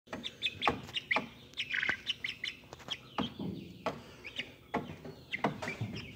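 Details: Speckled Sussex chicks hatched on March 22, 2023, recorded April 30, 2023: a busy stream of short high peeps and chirps from several birds, overlapping irregularly, with scattered lower clucks and knocks beneath.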